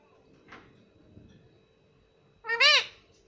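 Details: Talking pet parrot calling "mami": a faint brief sound, a pause, then one loud, raspy, arched call rising and falling within about half a second, over a low indoor hum.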